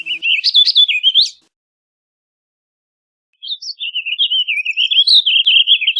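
A warbling vireo sings a rapid, rambling warble of slurred notes that rise and fall. A brief phrase is followed by a pause of about two seconds, then a longer phrase.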